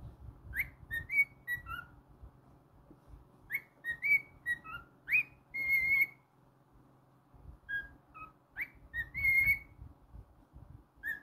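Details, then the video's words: Caged pet cockatiel whistling its song: clear rising and falling whistles grouped in three phrases separated by brief silences, with a low household hum underneath. "Monty The Naughty Cockatiel's weekly moments"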